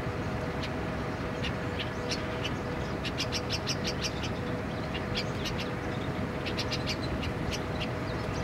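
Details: A feral Indian pied myna (Asian pied starling) in Dubai City, United Arab Emirates, on 29 February 2016, gives quick, high chirps and squeaky notes in loose clusters over a steady low rumble of city traffic.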